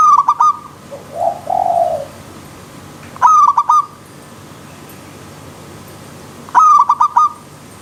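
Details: Zebra dove song set against a wild river stream, meant as training for elite birds: bright, clipped coo phrases of about five quick notes, each starting with a sharp stutter, heard three times, with a softer gliding coo between them.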